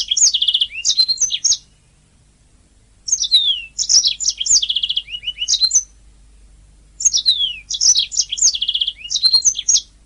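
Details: Canary singing, a master recording for training songbirds: three long bursts of fast, high chattering trills and sweeping notes, each about two seconds, with quiet gaps between.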